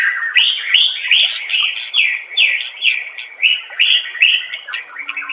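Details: Murai batu, the white-rumped shama, in masteran song: bright arched whistled notes repeated roughly twice a second, layered with scratchy high clicks throughout.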